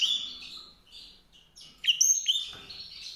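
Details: White-rumped seedeater singing varied, high, sweet twittering phrases with short pauses, then a louder burst of sharp upslurred whistles and rapid chattering notes.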